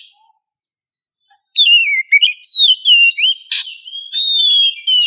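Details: Morning lure recording of an oriental magpie-robin, a female in breeding condition calling to a male: clear, varied whistled phrases that rise and fall, with a brief buzzy burst midway and a faint high whistle at the start.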